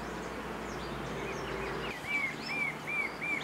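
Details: Marvellous spatuletail at a lek near Huembo, Peru, where a male displays with whirling tail feathers at a passing female: four short, thin, slightly arched chips, evenly spaced about every half second, follow quiet background hiss.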